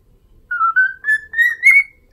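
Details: Pet cockatiel whistling the My Neighbor Totoro melody: five clear, slightly wavering whistled notes that step gently upward in pitch, each about a quarter second long, in a quiet room.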